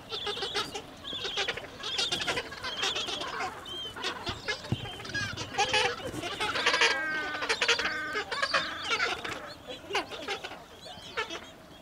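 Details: Gentoo penguins at Orne Harbor in a busy chorus: continuous overlapping harsh, pulsing brays, some with clear harmonic tones, rising and falling throughout.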